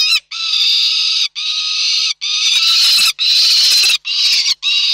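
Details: Peregrine falcons recorded in Reda on 29 June 2024 give long, drawn-out rasping wails, about six in five seconds, each harsh and broadband and separated by short breaks.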